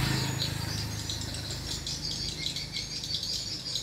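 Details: Swiftlets at a mini swiftlet house: steady high-pitched twittering chirps overlapping in a busy chorus, set over a low droning hum that is strongest at the start.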